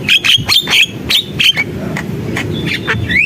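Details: Javan myna singing energetically: bursts of sharp clicks and short whistled notes, several bright level whistles sliding slightly, a rising whistle at the end, over a steady low rumble.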